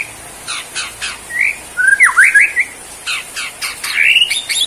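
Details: Borneo white-rumped shama, a caged songbird, singing a quick cluster of sharp whistled slurs amid repeated dry clicks, with a rising whistled flourish near the end.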